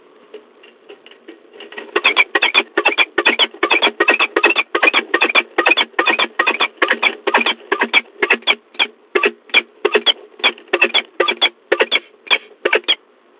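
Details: Peregrine falcons at De Mortel, recorded 28 February 2022 at 17:04. A harsh, rasping cackle repeats rapidly, about four notes per second, for over ten seconds. The notes are muffled and band-limited, with faint low hum beneath.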